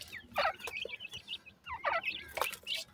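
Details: Evening feeding and play of francolin chicks: clusters of high twittering chirps in two bursts, several birds calling together, with faint rustling and a brief voice.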